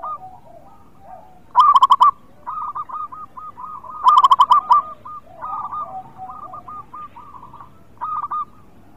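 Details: Zebra dove, local strain, a persistent singer used as a lure, gives two loud rattling bursts of fast coos followed by a long series of softer, repeated cooing phrases.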